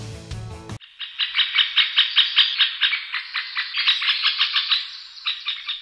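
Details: Middle spotted woodpecker calls or male display sounds: a fast, uneven chatter of sharp, high, harsh notes, densely packed and rising and falling in loudness, after a brief burst of music at the start.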